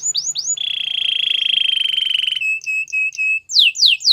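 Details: Canary song for training canaries: rising chirps, then a long rapid trill held steady for nearly two seconds, short flat whistled notes, and quick descending sweeps at the end.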